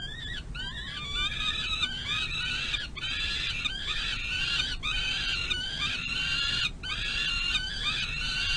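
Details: Nestling peregrine falcon on a runway by its nest box, May 2022, crying out while the adult female tears up big prey. Continuous run of shrill, wavering, harmonic squeals with brief breaks between them.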